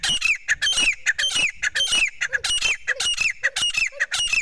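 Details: Partridge giving a rapid run of harsh, grating notes, each ending in a short downslurred whistle, repeated almost twice a second, close and loud.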